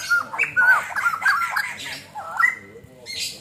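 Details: White-crested laughingthrush song from a training recording: clear whistled notes and quick warbling slurs, then a longer level whistle near the end, followed by a short harsh burst.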